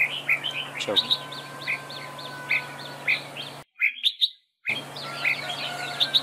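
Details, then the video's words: Red-whiskered bulbul dueling song from a decoy bird at a trap; bright whistled notes repeated roughly every half second, a short gap, then more rapid phrases, with a constant low hum beneath. "Bẫy đấu chào mào cực đẹp, hót cực hay"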